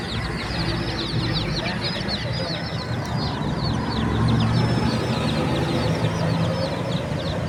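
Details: Baby chickens peeping rapidly, several shrill downward-sweeping chirps a second from many birds at once, growing a little louder midway, over a steady low hum.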